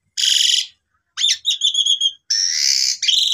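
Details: Lure recording of pied myna song meant to spur silent birds to sing: three bursts of harsh buzzy rasping notes separated by brief silences, the middle burst made of quick stuttering chirps.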